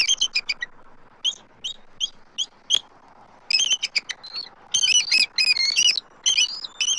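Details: Nest-cam sound from Southwest Florida, March 12, 2024: two adult eagles call as an immature eagle circles their nest tree. Evenly spaced piping notes lead into dense squealing, wavering chatter.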